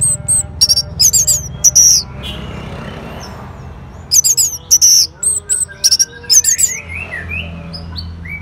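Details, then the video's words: Orange-headed thrush singing back to a lure recording: clusters of very high, thin squeaky chirps in quick bursts, alternating with softer rising whistled notes and a low steady hum beneath. "Sangarnya Respon ANIS MERAH Langsung Nyaut Dengar Pancingan Suara Burung Ini"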